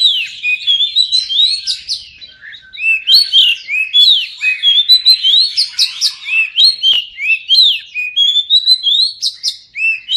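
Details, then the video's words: Continuous oriental magpie-robin song that never pauses. Bright whistled notes, upslurs and fast twittering trills alternate in quick succession, with sharp high accents scattered throughout. "Kacer pasti nyamber dan gacor klo dengar ini"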